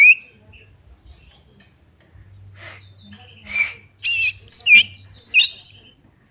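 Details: Oriental magpie-robin, kacer, used to provoke another bird to fight and spread its tail: a long sweet whistle opens, then after a low hum a burst of varied whistled and chirping notes around high pitch.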